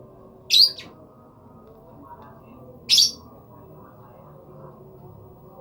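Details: Lovebird uttering two loud, shrill, piercing chirps about two and a half seconds apart, with a quiet room between them.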